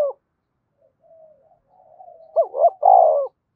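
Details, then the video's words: Spotted dove from Đồng Nai calling to stir up doves: faint soft murmuring notes build to a loud closing phrase of two quick wavering coos and a longer drawn-out coo. "Tiếng cu gáy Đồng Nai gáy gọi và thúc mới nhất, chim cu gáy kích bổi"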